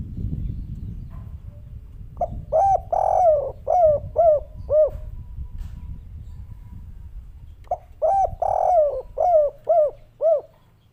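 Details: Spotted dove, a local bird, singing two phrases of cooing notes: a short soft note, then a long mellow coo and several arched, falling coos in quick succession, repeated after a pause, over low background rumble.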